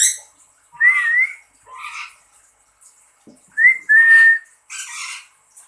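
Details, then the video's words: Lory replying to a person's whistling: a short shrill squawk, a whistled phrase, rough grating answers, then a long whistle followed by another noisy squawk. "burung nuri berkicau"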